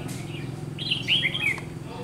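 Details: Red-whiskered bulbul, a trainee decoy bird used to lure wild bulbuls into a trap, recorded 30 June 2020. It gives one short, bright warbled phrase of liquid notes that rise and fall, over a low steady rumbling hum.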